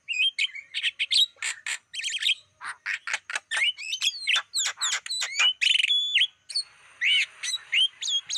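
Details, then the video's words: Black-winged starling lure song for attracting wild birds, a dense run of sharp clicks and chirps, then looping whistles and squeaks, with a brief quieter gap near the end. "Masteran Suara pancingan burung jalak kebo"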